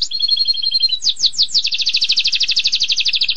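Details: Canary singing 'tembakan pedas': a level two-toned whistle, then several downward-swept notes accelerating into a long, quick, throbbing trill that runs to the end.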